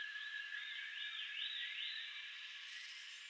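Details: Common green magpie in its natural habitat: a run of clear arched whistles, each rising then falling, repeated about every half second over a steady high insect-like drone.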